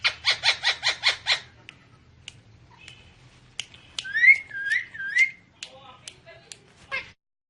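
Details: Pet talking parrot gives a fast run of six rasping pulses, a pause, then clicks and a string of looping, rising-falling whistles ending in scattered short notes.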